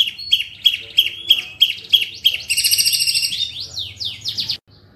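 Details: Long-tailed shrike master song in the fast, dense 'speed rapat roll tembak' style used for training birds: high clipped notes repeated about three per second, then rapid buzzy trills and descending sweeps before a sudden stop.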